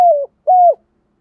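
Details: Two low, hollow, slightly falling coos from a decoy spotted dove in thúc gù style, the second a little stronger, separated by a brief silence.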